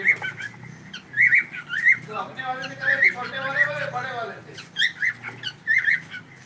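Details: Pet cockatiel giving short repeated whistled chirps, with a person speaking briefly in the middle.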